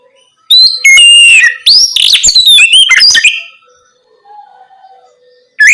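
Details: Night-time ngeplong singing of an Oriental magpie-robin, played to prompt young birds to respond. Very loud burst of rich whistles, rapid chattering notes and squeaks for about three seconds, a quiet gap, then song resumes.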